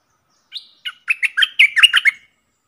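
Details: Caged decoy Streak-eared Bulbul luring wild birds, which fly around teasing it but refuse to land; an accelerating string of about ten bright, chattering chirps that ends in a short trill.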